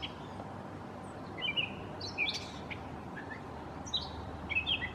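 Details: Gray catbird singing mimic-style like a mockingbird; a few scattered squeaky and slurred notes with pauses between, some sharper chips, over quiet background noise.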